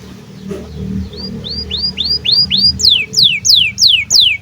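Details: Canary in breeding condition, used to train young birds: soft rising arched notes growing into louder, steeper falling whistles repeated about three per second over a low hum.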